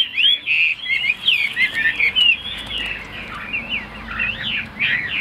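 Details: Tame captive Chinese hwamei singing a rich, continuous warble of looping whistles, quick slurred notes tumbling over each other in bursts with brief pauses between.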